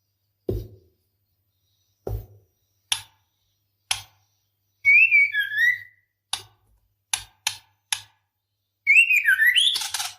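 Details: Female white-rumped shama in heat calling a male: spaced dry ticks every second or so, a falling whistle, more clicks, then a rising whistle breaking into harsh chatter.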